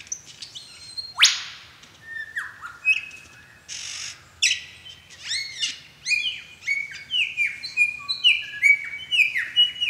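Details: During a courtship dance, a male lyrebird delivers a varied medley: a sharp upward sweep, then many clear whistles dropping in pitch, quickening into a dense series of bright descending notes near the end.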